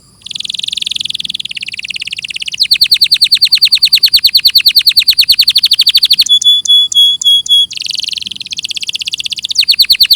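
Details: Canary singing in a clear training recording: buzzy rolled phrases, a long rapid trill, a brief set of ringing pure whistles, then more buzzy rolls and trilling.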